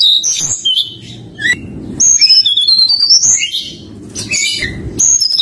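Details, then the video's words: Forktail (tledekan gunung) delivering a fluting nyuling lure song to challenge a rival, with quick high whistled runs climbing and dipping in pitch, backed by soft, steady music. "pancingan tledekan gunung nyuling memanggil lawan"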